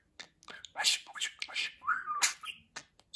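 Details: Talking pet budgerigar from a real budgie speech compilation: hissy, scratchy word-like syllables tumble rapidly, broken by a short falling whistle, ending in a sharp click.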